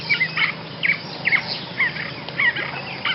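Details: Basra reed warbler singing, a recording meant for tutoring other songbirds: rapid, scratchy, rasping phrases repeated about every half second, loud and steady, over faint background hiss.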